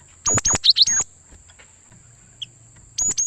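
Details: Gelatik batu (cinereous tit) calling as a trap lure for wild birds: a lively phrase of sharp chips and twitters, a lone soft note, then the start of another phrase, over a faint hum and a steady high whine.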